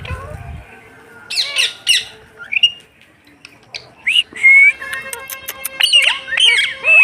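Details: Talking pet rose-ringed parakeet in the afternoon: sharp screechy squawks and rising whistled notes in irregular bursts, with clicking and rattling noises near the end.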